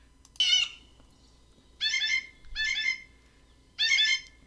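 Blue Jay giving four squeaky, creaking notes like a rusty hinge, each about half a second long and spaced unevenly, with a faint low hum behind.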